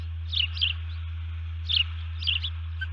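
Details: Nest-cam recording from 04:35 on 1 June 2019 of an osprey disturbed at its nest: paired high, squeaky chirps in three short clusters, fairly soft, with an unbroken low hum beneath.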